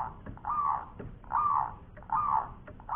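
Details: Local zebra dove singing in the ngowor koar koar style: three hoarse, mid-pitched cooing phrases, each about half a second long, repeated roughly every 0.8 seconds over a low background rumble.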